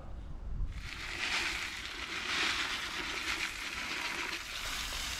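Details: Steady broadband hiss like running water or frying fills the recording, with a low rumble underneath and no animal calls heard.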